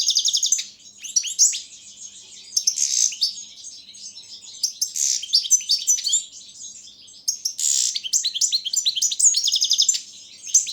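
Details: European goldfinch, subspecies carduelis balcanica, recorded as a world championship song entry: repeated bouts of sharp tinkling twitters and fast trills, broken by buzzy wheezes and short quieter gaps.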